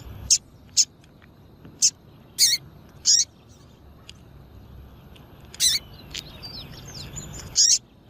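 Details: Female double-collared seedeater giving short, piercing high chips, about ten in irregular bursts, some paired or slightly drawn out, used to rouse males. Soft distant bird twittering and a low hum sit underneath.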